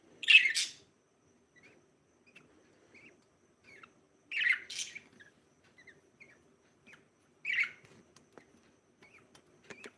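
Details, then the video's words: Breeding pair of budgerigars giving short, bright chirps in three separated bursts, the first a quick double note, with faint softer twitters between them in a quiet small room. "budgie chirping (SOUND)"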